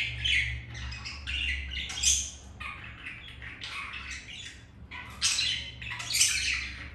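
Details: Pet budgerigars during mating, a green male mounting a female after being rejected by a white grey female; harsh scratchy chirps and squawks in bursts, with pauses and a low steady hum beneath.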